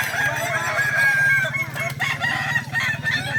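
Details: Kukuak Balenggek roosters at a crowing contest in Danau Bawah on Sunday, 6 October 2024. Several birds crow at once in drawn-out, overlapping, wavering tonal phrases over a steady low hum and crowd noise.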